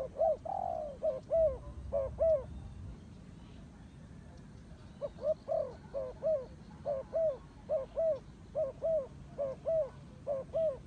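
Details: After a longer drawn coo and a few double notes, a pause, then a turtle dove repeats paired mellow coos in a regular series for several seconds.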